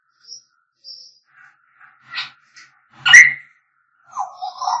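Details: African grey parrots whistling: scattered thin high peeps and short squawks, one loud sharp whistled shriek, then a wavering lower warble at the end.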